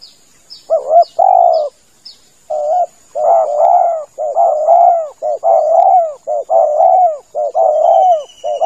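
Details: Spotted dove cooing as a lure for hunting from a hide: a few short chirps at first, then a fast string of doubled and drawn-out coos following almost without pause.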